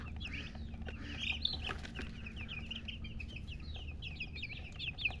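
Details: Several baby chicks peeping continuously: rapid high, short descending chirps running together over a low steady hum, with a brief fluttering rustle.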